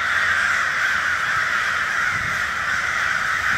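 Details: Enormous murder of crows, hundreds of harsh caws overlapping into a loud, unbroken, rasping chorus with no single voice standing out.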